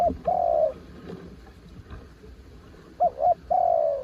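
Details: Spotted dove, described as a mountain bird, cooing low: a long mellow note at the start, then a quick double coo followed by a drawn-out falling coo. Low background rumble throughout.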